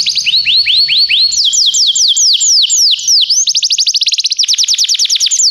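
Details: Training song of a Belgian canary, a series of swooping whistled notes, first rising then falling in pitch, breaking into a fast rolling trill of short upsweeps toward the end.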